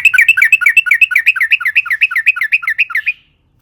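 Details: Sooty-headed bulbul song used to lure other bulbuls into singing: a long, fast rolling series of bubbly, repeated two-note warbles, about four per second for three seconds, then silence.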